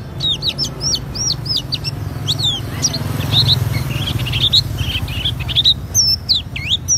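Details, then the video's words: Oriental white-eye, auri variety, singing gacor ngriwik with fill-in phrases: quick series of high upslurred chirps, then a busier jumble of short twittering notes and a few clear whistled slurs, with low rumbling background noise. "Pleci Auri Gacor Ngriwik Bongkar isian"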